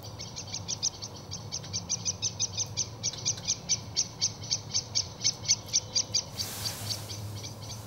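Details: Great spotted woodpecker giving sharp, clipped high notes in a long run, about two each second, each a short broadband tick; the series keeps a steady pace, then a burst of hiss cuts in near the end.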